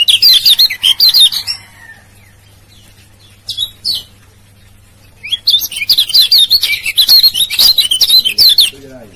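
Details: Male yellow white-eye calls from Lombok, the 'ciak ciak' type, played to stir silent birds into calling: dense runs of high, rapid, wavering chirps, a pause with a brief burst midway, then a longer chattering run.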